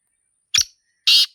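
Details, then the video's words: Wild black francolin, known locally as Sindhi teetar, recorded in nature: two loud, rasping, broadband notes, a short clipped one followed half a second later by a longer grating note, in otherwise quiet surroundings. "Sindhi Teetar Sound 2026 | Black Francolin Calling in Nature"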